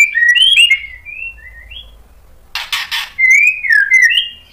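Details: White-rumped shama singing to provoke rival shamas: a quick run of rising and falling whistled notes, a pause, then three harsh scratchy bursts followed by more fluting, slurred whistles.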